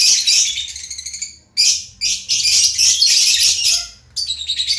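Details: Lovebird in full chatter: near-continuous harsh, buzzy high twittering in long bursts, broken by two short pauses.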